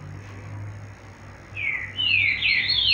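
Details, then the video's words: Nest-raised female yellow-bellied seedeater calling: a short whistle dipping downward, then a pair of longer overlapping whistled notes that fall and rise again, with a steady low background hum. "Femia de papa capim ninhado para o colera"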